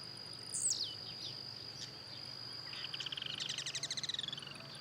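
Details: Blue-black grassquit in the wild, singing while hopping: one sharp high note sweeping downward early on, then a rapid pulsing trill from another singer, with a steady insect whine throughout.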